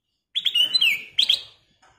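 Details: Black-crested bulbul song, loud and crisp: a few quick whistled notes running into a long downward-sliding slur, a brief pause, then a short cluster of bright rapid notes.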